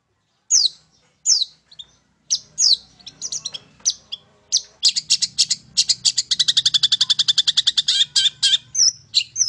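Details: Long-tailed shrike song used as a lure to provoke other birds to sing. A few sharp downward notes open, then a fast, buzzy, chattering series of rapid repeated notes builds to a dense rattle. A faint low hum sits beneath.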